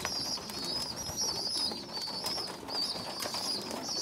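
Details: Small weak young pigeon feeding stronger youngsters; steady high-pitched squealing whistles, slightly wavering, nearly unbroken throughout, with scattered soft clicks and rustles.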